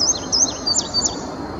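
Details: Male indigo bunting singing from a treetop, Sandy Bottom Nature Park, Virginia, early May 2019: a brief run of four or five high, sharp, down-slurred notes, quickly repeated, over faint background hiss.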